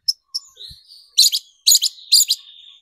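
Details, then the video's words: Lure recording of a long-tailed shrike to provoke shrikes into song: a few sharp ticks and thin whistles open, followed by three loud harsh double bursts spaced evenly, with a high whistle trailing between them. "PANCINGAN CENDET BIAR EMOSI DAN GACOR"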